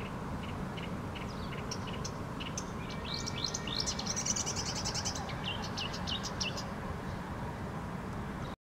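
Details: Hidden bird singing from within a bush in Helsinki, Finland; spaced high notes, then a fast, tumbling twittering phrase with trills and buzzy elements, over constant low city rumble.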